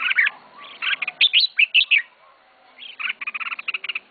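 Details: Pet red-whiskered bulbul, a first-time keeper's bird, giving lively slurred whistled phrases, then a fast run of repeated clipped notes near the end after a short pause.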